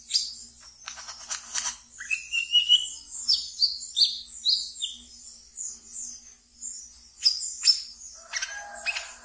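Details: Ngeriwik singing by a caged brown-throated sunbird, played to condition untrained birds: scratchy buzzy bursts, then a lively string of high chirps with a few lower clear whistled slurs, closing in a harsh rattle.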